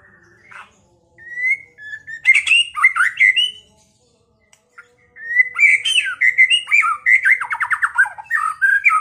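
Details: Caged white-rumped shama song meant to provoke a rival to fight and sing: clear whistled notes opening into varied warbling bursts, a pause, then a long rich phrase ending in a fast rattling trill.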